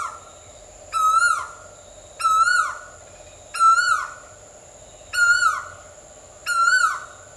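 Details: Asian koel calling loudly: five rising, ringing whistled notes, each swelling then sliding upward, repeated roughly every 1.3 seconds over a steady faint background hum.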